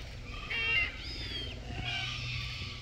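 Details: Red-tailed black cockatoos, filmed in June 2023 in Keep River National Park around mating time. Harsh, rolling calls with rich overtones, grouped in a short burst, then fainter calling over a steady low rumble.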